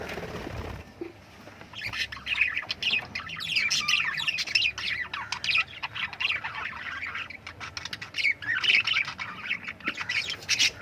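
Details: Lovebirds keep up a continuous, busy chatter of high, squeaky chirps and harsh little squawks, overlapping one another, after a brief low thump at the start.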